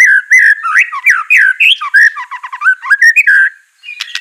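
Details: White-rumped shama song during training, with mellow swooping whistles, a fast rattling trill and a brief pause before high chirps.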